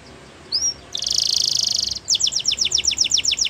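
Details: Canary singing in the morning: a single upslurred whistle, a dense buzzing trill, then a rhythmic series of sharp high notes over a soft background hiss.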